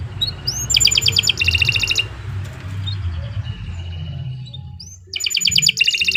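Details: Canary song made for use as a masteran, a long vigorous training song: two short bursts of high rapid pulsed trills separated by a quiet gap, over a steady low rumbling hum.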